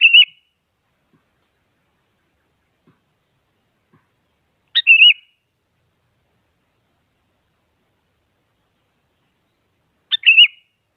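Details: Sooty-headed bulbul song used to provoke a rival so a silent bird starts singing; three short warbled phrases, each a sharp note then a wavering whistle, spaced about five seconds apart in otherwise quiet surroundings.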